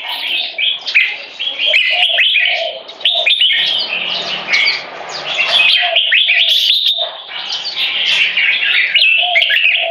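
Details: Red-whiskered Bulbuls (jambuls), competition birds of 3.5 and 7 years, battle for dominance through butir frequency singing and gaya display. Busy, rapid whistled notes repeat about four per second, with a low buzzy hum in the middle.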